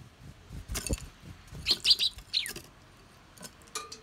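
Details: Eurasian tree sparrows suddenly squabbling over food give a quick burst of sharp, high chirps, four or five in about a second, among soft rustles and clicks.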